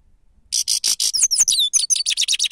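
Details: Grey-crowned goldfinch singing, recorded for use as a lure. It gives a continuous two-second run of fast, tinkling notes: buzzy trilled elements, then sharp falling whistles, then rapid even pulses.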